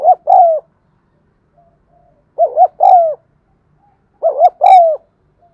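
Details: Spotted dove coo for triggering cooing in birds that stay silent: three phrases about two seconds apart, each a short twin-humped hoot and a longer drawn, descending coo, clean background.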